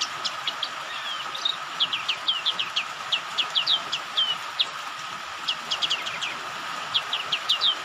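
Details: White-eye lure sound, tagged as a female calling a male, deliberately mixed with rain to make caged white-eyes sing: high, thin chirps and quick slurred twitters in loose bursts, over steady rain hiss and a constant mid-pitched hum.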